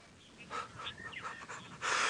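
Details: Monotonous Lark calling from the top of a dead tree on a late-afternoon safari drive, 25 March 2017, northeast South Africa, gives a brief run of clear, mid-pitched whistled notes with quick slurred sweeps, ending in wind rumble.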